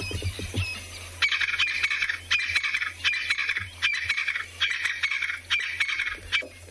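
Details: A Crested Francolin pair duets in the afternoon after rainfall at a South African game reserve: a loud, harsh, grating rattle, repeated in about six bursts roughly once a second, over a low steady hum.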